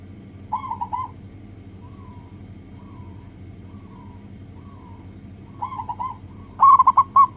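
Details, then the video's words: Local zebra dove cooing for a lure recording to draw song from other doves: short rolling phrases, several faint distant coos in between, and a loud bubbling burst at the end above a low rumble. "PANCINGAN PERKUTUT LOKAL AGAR CEPAT BUNYI"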